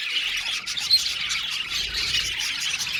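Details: Budgerigars in an aviary colony, a brief burst of crowded high chirping with one sharper squeak standing out near the middle.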